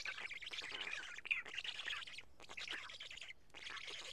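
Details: Black stork at a nest in Karula on 31 May 2017 just before 1 pm, as an adult feeds two big fish and the chicks pick out pieces: harsh, hissing bursts of wheezy squeals, about one second each, separated by short gaps.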